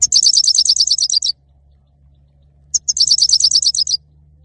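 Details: A male saira goldfinch sings a quick, high-pitched trill of a dozen or more identical chipping notes, pauses about a second and a half, then repeats a similar trill; low background hum.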